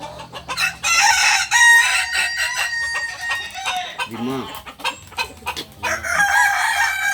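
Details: Kukuak Balenggek rooster at a Sunday practice meet in Ampang Kualo: a bright, drawn-out crow held on steady tones with small steps, then short lower clucks, sharp clicks and another crow rising at the end.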